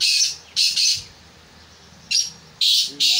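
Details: Black francolin being trained for calling gives loud, harsh, grating notes in two quick groups, five rasping bursts in about three seconds, over a faint low hum.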